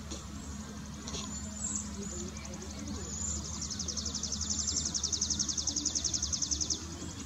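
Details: On 25 May 2020 at Homer Lake Forest Preserve, Champaign County, Illinois, USA, Cedar waxwings give very high, thin, lisping trills, the beaded notes running three or four a second, over a low steady rumble.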